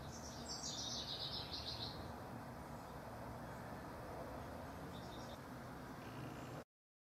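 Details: Rival house wrens, recorded June 12–24, 2015: a quick bubbling, descending trill of high notes at the start, followed by a faint distant reply, over a constant low rumble.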